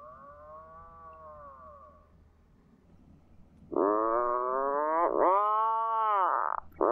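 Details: Atlantic puffin on a cliff coast of a small island above the sea: a faint distant moan, then loud, harmonically rich, groaning calls from close by, rising and falling in pitch, running nearly continuously to the end.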